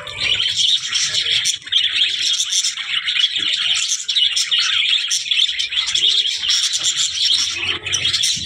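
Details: Budgerigar giving a steady, continuous high-pitched warble of rapid chirps and buzzy twitters with hardly a break.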